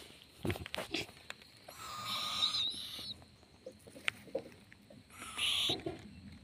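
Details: Young owl chick swaying, producing two drawn-out raspy hisses about three seconds apart, preceded by low thumps and handling knocks, with quieter rustles in between.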